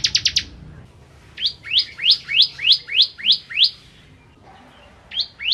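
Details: Bar-winged prinia, 'kristal' type, singing vigorously as a tutor for magpie-robins: a quick stutter of high ticks, then a paced series of nine loud downslurred chips, a pause, and two more chips beginning again.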